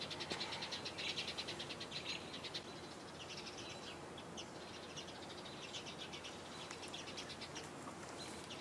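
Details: A flock of house sparrows on the Cornell University campus, Ithaca, New York, on 26 June 2018, chirps constantly, with overlapping short, bright chirps running several per second over a steady traffic-like hum.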